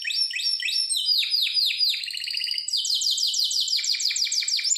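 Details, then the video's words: A Harz Roller canary in a training song sings an unbroken run of fast, high trills, shifting every second or so from one rapid rolling tour to the next, with nothing else heard. "Canary singing the best sounds for training / chant de canari Elegante / Harzer roller gesang"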